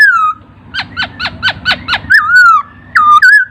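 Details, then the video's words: Laughingthrush song for tutoring songbirds: an opening descending whistle, then six sharp downswept notes at a steady pace, followed by wavering whistled phrases over a faint low hum. "Masteran Burung Poksay"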